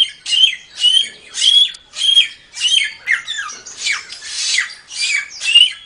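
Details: Training recording for songbirds of a samyong singing: roughly eleven rasping, scratchy bursts at an even pace, each with a thin bright whistle threaded through, loud and high.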